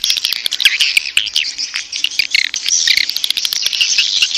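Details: Birahi mating call of edible-nest swiftlets used to lure swiftlets into a nest house. The chorus is a thick, high chirruping of many overlapping birds, with quick slurred notes and scattered sharp ticks.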